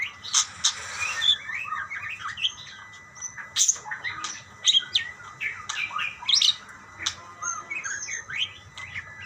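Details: Budgerigars answering each other with sharp clicks, squeaky chirps and short warbled runs spaced irregularly, over soft low hum.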